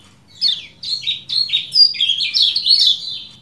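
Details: Kecial kuning (lemon-bellied white-eye) giving the 'ciak ciak jos' style used as master material for cage birds: high, bright chirps in quick bursts, each note sliding downward, building into a busy twittering run with a quiet background.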